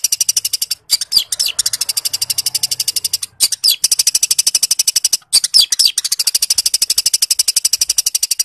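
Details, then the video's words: Long-tailed shrike, a prolific singer in fighting form mimicking sparrow calls, delivers a long run of rapid, metallic, high-pitched ticks with brief pauses and occasional rising-and-falling scratchy notes, with faint low rumble behind. "cendet gacor konslet nembak gereja tarung"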